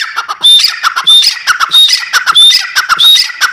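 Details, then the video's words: Steady series of grating, high-pitched grey francolin (Dakhni teetar) calls, each phrase topped by a bright whistled note, repeated at a fast regular pace of roughly one phrase every 0.7 seconds. "Dakhni Teetar: Voice of teetar | How to play teetar | The Sound of teetar | teetar ki awaaz| teetar"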